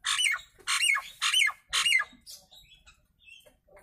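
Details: Nias hill myna giving loud, harsh, broadband squawks, four in quick succession roughly every half second, each with a falling whistled edge, then quieter scattered notes.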